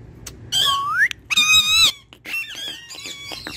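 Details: Pet ringneck parrot talking indoors: clear harmonic voice-like phrases, a long rising whistled glide, then a burst of strong buzzy tones and a run of short chattering syllables, with a faint low room hum.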